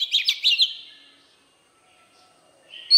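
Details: Oriental magpie-robin in wild forest voice, singing to stimulate young birds. A quick run of sharp, high chirping notes fades into silence, and a new clear note starts right at the end.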